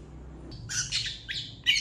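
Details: Long-tailed shrike singing vigorously on a master track for teaching other birds: a few rough, buzzy squawks in quick succession after a short quiet start.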